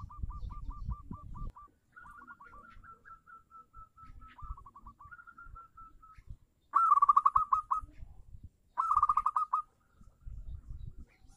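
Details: Local zebra dove, used as a lure to prompt caged doves that have stopped singing. Runs of short, clipped cooing notes come first, then two louder rolling, trilled phrases near the end. A low rumbling handling noise sits underneath.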